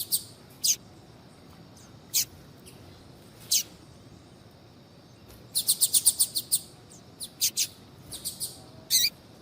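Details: Female Double-collared seedeater (coleiro) calling to stimulate a male to sing; short sharp high chips, spaced singly every second or two, then a quick cluster of about eight around the middle, more scattered chips after, over a quiet background.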